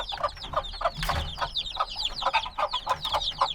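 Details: A brood of black baby chicks, hatched a few days ago and still needing warmth, in a binaural recording. They give dense, overlapping high falling peeps in quick succession, with a brief low thump near the middle.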